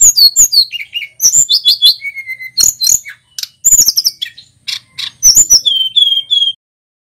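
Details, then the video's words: A male local Tledekan Gunung gives energetic training song for songbirds, with whistled and rolling phrases. Quick high chirps and downslurs run together, then a sustained steady whistle before the singing ends. "Suara Burung Tledekan Gunung GACOR"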